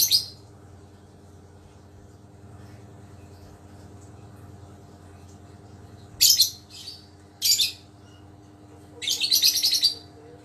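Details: Lovebird recovering from a cold, now well and tested for its calling response, quiet at first, then a sharp shriek, a second one, and finally a longer buzzy, rattling chatter of high notes.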